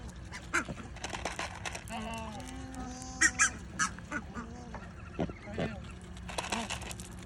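Coscoroba swan giving a brief run of nasal, honking notes with flat tones in the middle, among sharp clicks and faint human voices.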